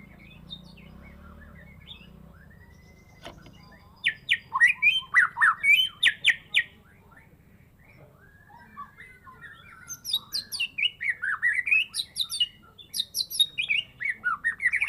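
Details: Caged Medan-type white-rumped shama, kept since a spotted juvenile, singing in top form after its first moult with a full set of learned phrases: two loud runs of rapid, varied whistles, sweeping slurs and sharp buzzy notes, separated by quiet gaps over a faint low hum.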